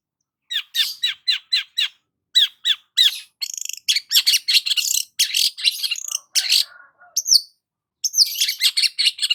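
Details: Sunbathing long-tailed shrike in the morning, opening with evenly spaced downslurred chips, then breaking into a fast, buzzy, scratchy jumble of high notes with a brief soft lower phrase.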